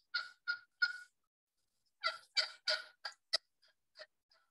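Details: An Eastern wild turkey hen gives a plain yelp, the standard call hens often use to attract gobblers: three raspy notes, a pause, then a faster run of six or seven yelps fading out.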